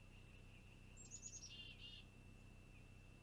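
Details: Young long-eared owl, filmed 26 June 2020 by a nest cam while it waits for mom or dad to arrive with food, gives a short run of high squeaky notes that slide into a brief buzzy rasp, with a constant high hum behind.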